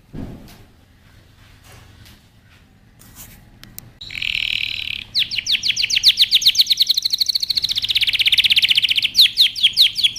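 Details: Canary training song after a quiet start with faint clicks: a buzzy burst, then a long, fast rolling trill of high notes followed by quick down-swept whistles.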